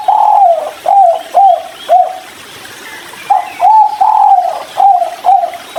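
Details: Spotted dove giving its 'kuk 3' style call while drinking near river water: mellow, hollow coos in a clipped series, each note dipping slightly, a run of four, then a one-second pause, then another run of five.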